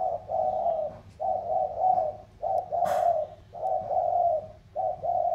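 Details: Cooing match between 'thổ'-style spotted doves from lowland Sóc Trăng and the Cam Ranh mountains, Vietnam. Loud, close, low throaty coos run in long drawn phrases with short gaps. A brief click sounds midway.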